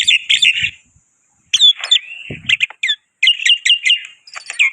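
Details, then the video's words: Black-winged myna (white starling) singing energetically as a lure: bursts of grating, buzzy chatter alternate with clear upslurred and downslurred whistles and a drawn-out whistled note, phrases separated by brief pauses, with a faint low thud in the background. "Burung Jalak Putih Pemancing Gacor"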